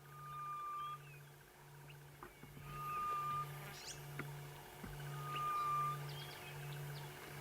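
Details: At sunrise in late October in the Sabi Sand, South Africa, a grey-headed bush-shrike gives a long, level, mournful whistle about every two and a half seconds, over a low droning hum and other birds' chatter.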